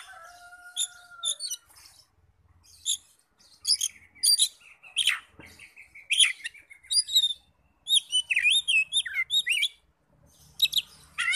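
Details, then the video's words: Oriental magpie-robin lure song aimed at making other magpie-robins answer: a long, busy medley of high sharp notes, whistles and looping warbled phrases, opening with two steady plain whistled tones. "PANCINGAN NAIKAN EMOSI KACER 100% IKUT NYAUT NGEPLONG"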